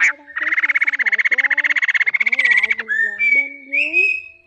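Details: A male and female laughingthrush in a flock-calling recording used to lure birds into traps: a fast, harsh rattling chatter for about two and a half seconds, then clear rising whistles, with a lower second voice beneath.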